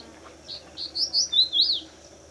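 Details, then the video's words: Male crested bunting in breeding season, perched above the wall of the fort at Pune, India, sings a quick, high phrase of about six sweet, slurred notes lasting just over a second, over a faint steady hiss. "Song of the Crested Bunting Male"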